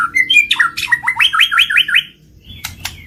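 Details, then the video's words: White-rumped shama singing for a trigger recording aimed at singing and mating: short whistles lead into about eight fast hooked notes in a row, then two sharp clicks over soft background noise. "PANCINGAN BURUNG MURAI BATU MACET BUNYI SEKALI PUTAR LANGSUNG NYAUT BUNYI AMPUH BIKIN GACOR"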